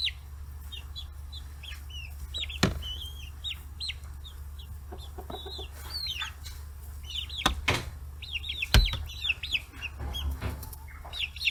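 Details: A group of 40-day-old chicks feeding on fish heads on a free-range farm in Hiroshima Prefecture, Japan. Scattered high peeps mix with occasional loud knocks and clicks over a low-pitched hum.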